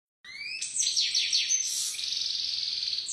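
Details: European goldfinch, described as a top-class "pisador" singer, opening with two rising whistled notes that break into a bright, high, rapid twittering trill.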